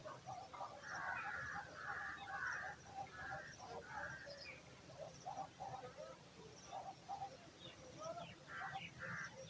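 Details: Hungry eagle chick in the nest waiting for dinner, giving a run of harsh, rasping mid-pitched calls in short bursts over steady low background rumble and faint scattered higher notes.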